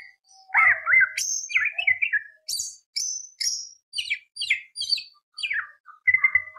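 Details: Greater green leafbird in rich, varied song meant to provoke other birds: tangled whistles and warbles followed by a string of sharp, high, downslurred chips repeated roughly every half second, closing with a clear whistle.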